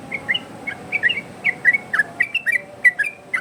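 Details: Yellow-vented bulbul singing a varied 'ropel' style song used to tutor and lure other bulbuls: quick bubbly whistled phrases of short rising and falling notes, repeated about every half second, with a faint steady background hum.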